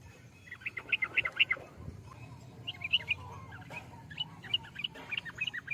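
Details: Lively chattering phrases from a Yellow-vented bulbul, quick twittering notes grouped in three bursts with brief gaps, over a low background hum.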